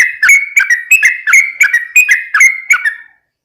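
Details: Yellow-vented bulbul giving lively 'ropel' song, used as a lure for other bulbuls: a quick string of eight bubbly, slurred notes with sharp clicky onsets, ending abruptly in silence after about three seconds.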